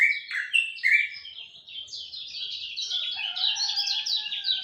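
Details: Lemon-bellied white-eye singing at dawn: a fast, dense stream of high twittering chirps and trills, opening with bright short notes, then lower steady whistled tones running beneath the chatter.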